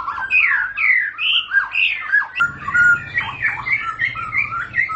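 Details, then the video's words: White-rumped shama (murai batu) in ngentrok song, delivering varied rich whistles and harsher squawky phrases in quick succession, with a low hum rising in the background partway through. "Murai batu bakal langsung ngentrok"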